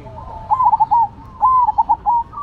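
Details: Zebra doves of the Cemani and Silver varieties in full song: two rolling, stuttered cooing phrases, each a drawn note breaking into quick beats, with a fainter trailing note.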